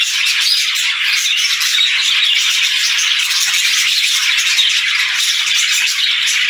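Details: Cheerful morning chatter from a group of budgerigars: constant high, scratchy warbling and chirping from overlapping birds, even in loudness and without pauses.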